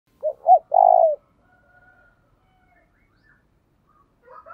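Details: Spotted dove used as a decoy for trapping, cooing in the thổ đồng voice style: one loud phrase of two short rising coos and a longer drawn-out coo, then faint whistled tones and quiet.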